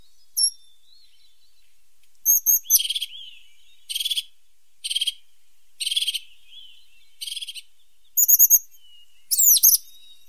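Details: Spaced bursts of harsh buzzy notes, roughly one per second, mixed with thin high chirps and a final sharp descending squeal, from a tit named as the pointed or sharp-nosed tit.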